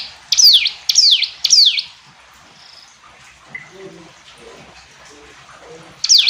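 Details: Hill prinia gives three sharp high downward-sweeping notes, then faint low chatter and background noise before a final loud note.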